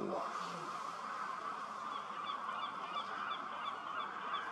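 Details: Thousands of common starlings settle to sleep at sunset in a big reed field next to the Starrevaart birding lake. A steady roar of massed chatter fills the air, with thin, repeated high chirps above it.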